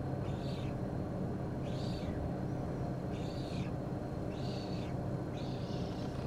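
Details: A Eurasian spoonbill chick begging for food gives five wheezy, high, down-slurred calls, about one a second, over steady low wind rumble; Hungary, May 2023.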